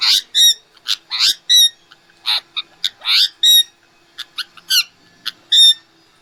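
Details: Indian ringneck parrot with a natural, unfiltered voice, giving a rapid run of short, loud, nasal squawks, about seventeen harsh harmonic notes in quick irregular succession against a quiet background.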